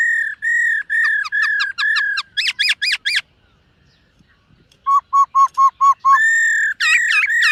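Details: Singing 'múa' style at morning voice training, a silver-eared laughingthrush gives a run of level whistles, then fast upslurred notes. After a pause come six short, lower notes and loud, looping whistles.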